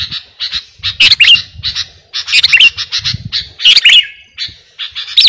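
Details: Sooty-headed bulbul, kutilang garuda type, singing actively in a recording meant for training or luring birds. Spaced, harsh, squawky bursts with bright whistled peaks come roughly every second, over a soft low rumble.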